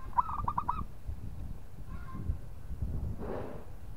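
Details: Local zebra dove cooing to provoke a rival: a quick staccato run of short rattling coo notes opens, fainter notes follow near two seconds, then a brief noisy burst, over a steady low hum.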